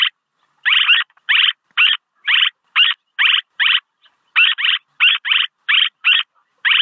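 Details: Swallow call for luring: some fifteen rough, buzzy chirps, delivered fast and fairly evenly, several in close pairs, with nothing else audible.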